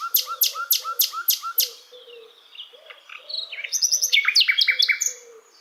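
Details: Asian brown flycatcher song used as a tutor for other songbirds: a quick series of sharp repeated notes, then a pause and a bright, rapid burst of high chirps, with soft low cooing in the background.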